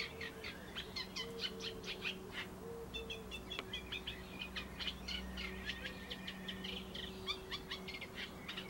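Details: Eurasian reed warbler singing in a laurel bush, with rhythmic grating chirps and a few clearer whistled notes strung together without pause, accompanied by a steady low mechanical hum.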